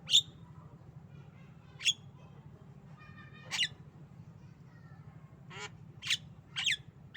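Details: Tame female Javan myna kept as a pet, coughing and laughing: short harsh, buzzy bursts spaced irregularly over several seconds, the last few coming closer together, over a low steady hum.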